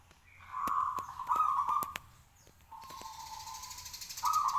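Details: Local zebra dove singing from a raised cage, meant to prompt replies from other doves: a swelling rolling coo broken by sharp clicks, a quieter sustained note, then another coo beginning, with a hiss of high noise behind.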